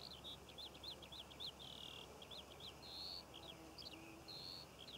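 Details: Skylark song recorded above Cornish poppy fields in June 2014. Quick runs of high twittering notes alternate with brief sustained whistles, pouring out without pause.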